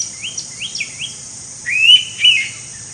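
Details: An Indian pitta in Goa, India, in May, gives two loud, clear whistled notes, slurred and slightly wavering, after a few fainter high rising whistles, over a steady insect hiss.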